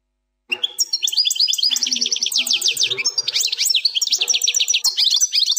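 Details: European goldfinch singing the Plak Mine style song without errors: after a brief pause, a continuous high, fast stream of chattering twitters, sweeping whistles and metallic trills lasting about five seconds.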